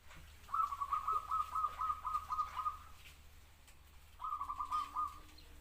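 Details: Zebra dove song: a rapid run of about a dozen staccato, slightly drooping cooing notes, then a shorter second burst after a pause, over a faint low hum.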